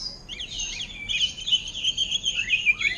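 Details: Greater green leafbird in captivity singing orange-headed thrush style, a short high phrase of slurred squeaky notes leading into a string of bright whistled pips and a final dropping slur.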